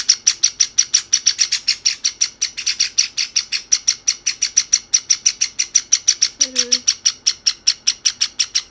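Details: Pet Java sparrow chicks, one white and one sakura, beg from each other and keep up an unbroken run of thin, high, evenly spaced chirps, roughly four a second. A faint low tone is heard briefly near the end.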